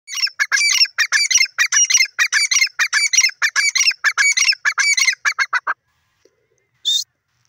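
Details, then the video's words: Francolin calling: loud, harsh and rhythmic, with clustered notes repeated steadily for about six seconds, then a pause and one last short note. "teeter ki awaz teeter ki boli"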